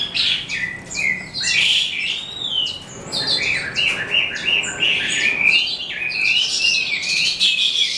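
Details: Eastern calandra lark singing as the day ends: a continuous, lively medley of twittering chirps, rattles and squeaky notes, delivered rapidly with little pause.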